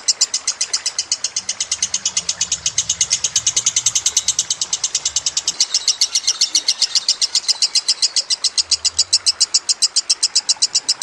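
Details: Lovebird song in a master recording for training birds, mixed with trickling water: a fast, unbroken chatter of high, sharp notes, about seven per second, continuing through the whole stretch.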